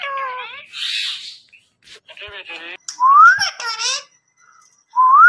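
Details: Pet Indian ringneck parrot in a small room mixes harsh, speech-like chatter with clear rising whistles, two of them sweeping upward, separated by short pauses.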